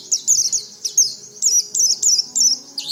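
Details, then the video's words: High, thin twittering phrases from an oriental white-eye, repeated in short bursts about every half second, a recording meant to coax untrained white-eyes into song. "Suara pleci ini cocok untuk memancing pleci bahan agar cepat bunyi"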